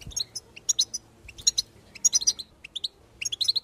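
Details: Goldfinch singing as encouragement for a listening bird: sharp, bright chirps and twitters in uneven little groups, separated by short pauses, without long trills.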